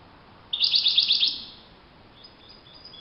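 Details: Goldfinch in open nature, wild, gives a brief rapid jingle of bright high twittering notes lasting under a second, followed by faint thin calls.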